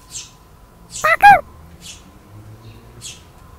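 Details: Fledgling tree sparrows, just out of the nest in 2022, running to their father, filmed on a Sony α7 IV: a loud rasping double chirp in the middle, surrounded by faint, thin, high chirps.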